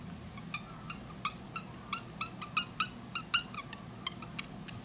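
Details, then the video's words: A parrotlet singing and dancing chatters in short, sharp, high chirps, two or three a second at an uneven pace, over a faint steady electronic whine. "Parrotlet Singing"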